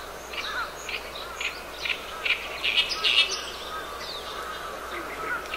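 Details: Oriental reed warbler song on 10 June 2012, noted for its harsh, gravelly voice: scattered rasping chirps, loudest in the middle, over a steady background of softer bird calls and sustained whistles.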